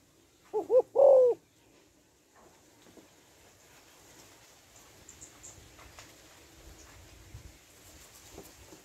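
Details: One coo phrase from a female spotted dove calling to stimulate males: two short notes and a drawn-out, slightly descending coo, followed by several seconds of faint background noise.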